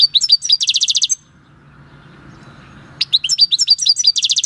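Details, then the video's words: European goldfinch captured in the wild at El Paso in 2018 sings its natural country song on 22 March 2020: liquid twittering leading into a fast, even, high trill, repeated after a silent gap. "JILGUERO CAMPERO CANTANDO/Chant du chardonneret/Golfinch singing"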